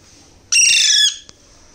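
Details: Hand-fed Alexandrine parakeet baby giving a single loud, harsh, raspy begging squawk lasting about half a second, in a quiet indoor setting.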